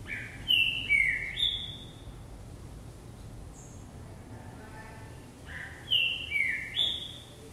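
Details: Green-winged saltator hopping on a perch and singing. Two bursts of clear whistled notes, each a quick run of three bright slurred tones, with a quiet gap between them and soft talk in the background.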